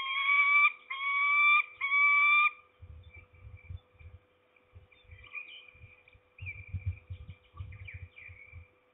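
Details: Peregrine falcon at a nest in Trzebież forest district, Poland, on 7 May 2020, an adult female with two chicks; three loud, drawn-out harmonic wailing calls, then soft low thumps and faint scattered high notes from the nest.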